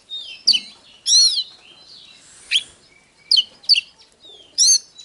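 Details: Oriental magpie-robin song, hót déo style, meant to excite rival birds into fighting: loud clear whistles and buzzy slurred phrases separated by brief pauses, with a faint low whistle between them.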